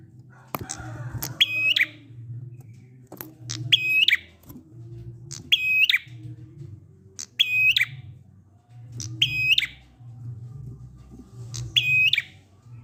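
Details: Indonesian prinia "ngalun" song, played so that quiet prinias start singing too. Six identical phrases, each a clipped buzzy rattle of evenly stacked metallic notes, come every two seconds or so, with a faint hum and soft clicks behind.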